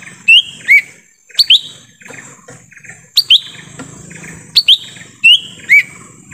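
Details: Wild-bird lure from forest: a lesser green leafbird gives crisp rising whistled notes in close pairs, spaced about a second apart, over a faint steady high-pitched hum.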